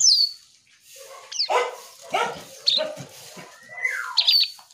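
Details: Singing Asian pied starling mixes harsh, rasping chatters with a long, clear whistle that slides downward near the end, all in a quick, irregular rhythm.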